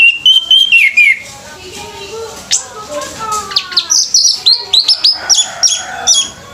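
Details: Orange-headed thrush singing at a bird singing competition: a falling whistled note, then rapid bright chirping and rising whistles repeated several times a second, with faint human voices in the background.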